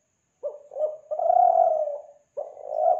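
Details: Kelantan tekukur (spotted dove) coo used to lure doves: two or three brief, soft lead-in notes, a long, mellow, level coo, and the start of the next rising phrase.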